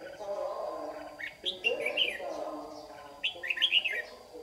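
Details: Trapping scene in Đồng Nai, Vietnam, 26 June 2019: a white-cheeked red-whiskered bulbul lure sings competitively in the morning, giving two rich, rapid chirping phrases about two seconds apart over a low continuous drone.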